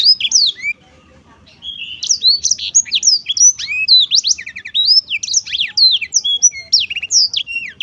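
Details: Cheerful Black-throated canary song: a short opening phrase, a one-second pause, then a long unbroken run of rapid high chirps, slurred whistles and trills.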